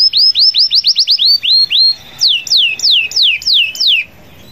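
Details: Canary calling rivals with a long rolling song: quick rising upslurred notes, then several downward-swept whistled phrases at even spacing before the bird falls silent.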